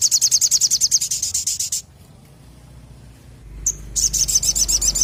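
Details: {'caption': 'Crimson sunbird (sogon) singing vigorously: fast, high, even trill of repeated sharp notes lasting nearly two seconds. After a pause, a thin upslurred note leads into another rapid trill.'}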